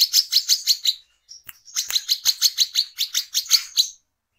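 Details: Brown-throated sunbird singing energetically, used as a lure call for trapping or training birds, recorded at night: rapid series of high, sharp chirped notes about three per second, a short pause, then the run resumes with faint clicks.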